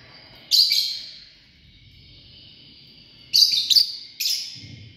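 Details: A family group of lovebirds making shrill, rasping chirps: one loud burst, a pause of over two seconds, then three quick harsh notes in close succession.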